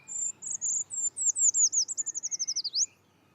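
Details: Eurasian treecreeper (Certhia familiaris) song: a thin, very high phrase of a few sweet notes that quicken into a descending trill and end in a brief upward flick.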